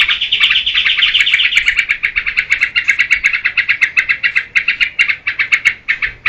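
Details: Yellow-vented bulbul song recorded as a lure for cage-bird training, a dense, fast series of bright chirping notes, gradually breaking into evenly spaced pulses toward the end.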